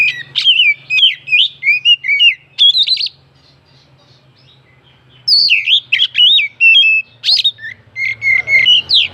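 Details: Oriental magpie-robin song meant to stir other birds into singing: bursts of rich, varied whistles and sharp notes, a two-second pause, then another rapid sequence of rising and falling whistled phrases, with a steady low hum beneath.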